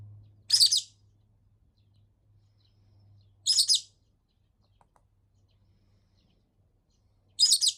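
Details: Complaining pet rosy-faced lovebird, ignored for more than a week, keeps calling: three high, rasping chirps roughly three and a half seconds apart, with a low electrical hum early on.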